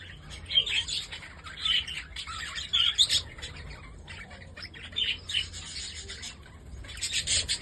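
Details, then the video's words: Holland budgerigars, pet birds, chattering together: dense high chirps and warbling squawks in bursts roughly every second, with brief quieter gaps between bursts and a steady low hum underneath. "Holland budgies"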